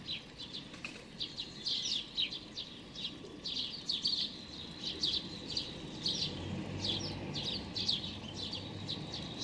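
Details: Little hungry sparrow fledgling, its plumage very light and nearly white, begging on 16 May 2019: a steady run of sharp, high chirps, roughly one or two every second, with faint low environmental hum beneath.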